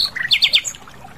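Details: Asian brown flycatcher singing in the wild: a short burst of thin, high chirps and a clear whistle, then three quick descending sweeps and a faint very high note, over quiet background.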